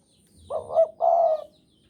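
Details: Spotted dove of the Javanese type, singing eagerly in breeding mood: a soft, throaty coo with a short rolling first note and a drawn-out second note, in near silence.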